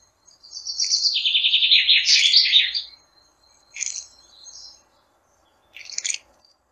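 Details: Flycatcher produces a quick series of high, buzzy twittering notes for about two seconds, followed after pauses by two short sharp chip calls, with little background noise.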